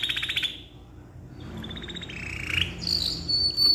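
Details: Canary in long tutoring song, opening with a quick rattling trill, pausing briefly, then sliding into sustained buzzy rolls and a piercing high whistled note.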